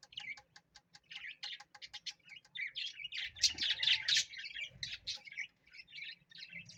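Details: A parrot opens with rapid ticking clicks, then breaks into loud, scratchy high chatter and strings of quick chirps.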